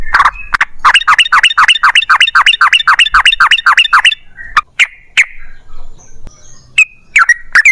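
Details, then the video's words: Yellow-vented bulbul rattling off long rapid-fire song used as a lure to make other bulbuls sing: a fast, regular run of bubbly chirps for four seconds, then scattered single notes and a final cluster. "TRUCUKAN GACOR Ropel Panjang Buat PANCINGAN TRUCUKAN Agar Bunyi"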